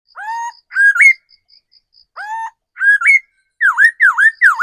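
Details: Loud, ringing whistles from a caged decoy laughingthrush. Low swooping notes alternate with rising two-part hooks, then a fast run of three downward-dipping V-shaped whistles. Faint high ticking from another bird fills the pauses.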